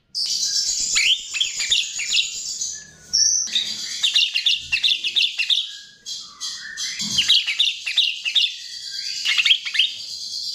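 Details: Chestnut-tailed starling song used as a lure: long stretches of busy, squeaky chattering warbles with many quick downslurred notes, broken by brief pauses.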